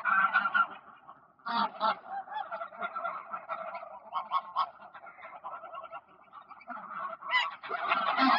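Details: A flock of greylag geese on the ponds of Poleski Park, Poland, 1 October 2024, keeps up a steady noisy chatter of nasal honks, with sharper loud calls at the start, middle and end.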